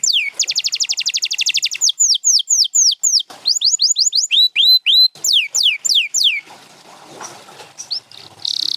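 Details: Champion canary with a rapid buzzy trill, then a long sequence of swooping down-slurs and rising whistles, then a soft noisy lull and a last high buzz.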